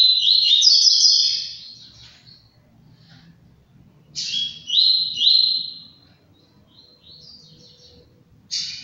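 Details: Double-collared seedeater (coleiro), a captive-bred bird in Brazil, delivering two loud high whistled song phrases of rapid slurred, stepped notes, each fading out, then a brief third start at the end, over a low hum.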